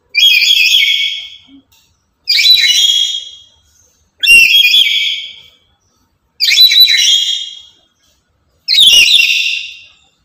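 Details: Chattering, very loud lory, kept active daily as a lure and tutor bird for other lories: five harsh, shrill screeches, each about a second long and fading at the end, repeated roughly every two seconds.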